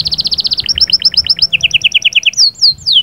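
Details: Male-style canary song with sahsahat and batbatat phrases to prepare the female: a very fast high trill shifting into lower repeated notes, then a few long down-slurred whistles.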